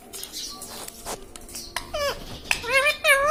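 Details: Pet ring-necked parrot (tota) mimicking speech, with short wavering voice-like phrases growing louder toward the end, over faint household clatter.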